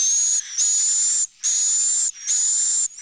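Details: Swiftlets calling in a roosting-room recording, chick to adult voices: three long, harsh hissing buzzes, each nearly a second, with a high thin whistle along their length and short pauses between.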